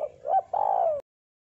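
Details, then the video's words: Spotted dove with a thick, vigorous voice, its song used to lure birds: a short coo, a rising coo, then a long drawn-out coo sliding downward, ending abruptly in silence. "Suara Burung Terkukur Deruk Derkuku Gacor Suara Tebal Buat Pikat"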